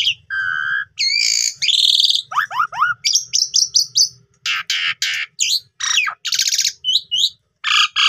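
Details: Jalak suren, the Asian pied starling, singing a lure song meant to spur other starlings into full song: steady whistles, steep falling sweeps, clipped notes and loud harsh bursts mixed together.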